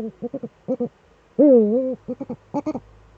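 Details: Two Eurasian eagle-owls in the nest hollow, recorded by a nest webcam on 6 March 2013; bursts of short stuttering notes surround one long, loud, wavering drawn-out call in the middle.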